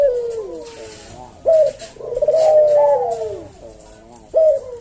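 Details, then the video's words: Collared dove, puter jawa, cooing slowly in the 'kuk deruk' pattern: a sharp short note, a long level hum that sags at the end, then another sharp note. Faint speech lies beneath. Meant for training caged doves. "Burung puter jawa kuk deruk manggung merdu suara SLOW SENGGANG"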